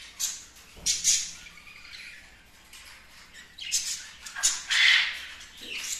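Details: Kept budgerigars chattering in scattered bursts of harsh, high squawks and chirps, with quiet gaps between outbursts.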